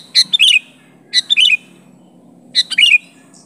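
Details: Sooty-headed bulbul pressing a rival with its own unmixed call; three loud, close phrases about a second apart, each a sharp chirp or two followed by a bubbling, hooked whistle dropping in pitch.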